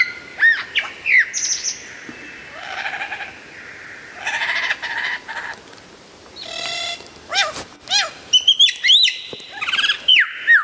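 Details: Loud, clear lyrebird song mixing many sound types: sharp whistled slurs, harsh rattling bursts, low buzzy stretches and bright arching notes in quick succession.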